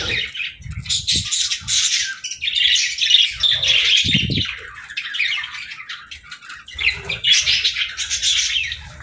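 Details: Several pet budgies at morning feeding time keep up busy overlapping chirps and warbles, with scattered low thumps and bumps as they feed.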